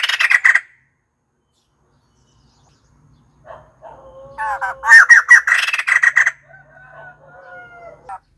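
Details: White-crested laughingthrush calling: a brief burst of harsh cackling notes, a pause, then a louder run of rapid, chattering laughter with rising and falling notes, followed by softer whistled tones and a final short cackle.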